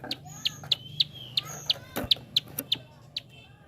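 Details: Prinia giving sharp, dry clicks, used to stimulate other birds to sing; high, irregular ticks come roughly three per second with a few fainter chirps and a brief thump in between.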